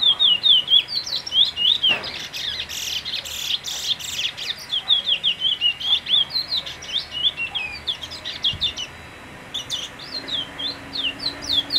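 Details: Brown bullfinch giving many short, wavy high notes in rapid rhythmic series through the recording, with a brief pause, interrupted by bursts of rustling or flapping-like broadband noise.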